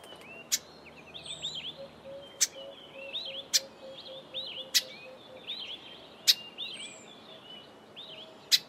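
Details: Grey sunbird calling with sharp, loud clicking ticks at irregular intervals of one to two seconds, mixed with quick high chirped notes and twittering. A low steady tone runs through the middle part.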